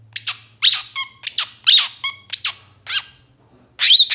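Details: Long-tailed shrike in moult, a lure for captive shrikes: loud, grating squawks rich in overtones, repeated roughly every half second, then a silent gap and a closing burst of harsh notes.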